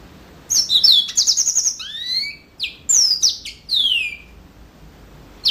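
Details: Yellow-fronted canary singing a bright, fast phrase of high whistled notes, sharp slurred sweeps falling and rising, a trilled buzzy stretch, then brief pauses between bursts; quiet background.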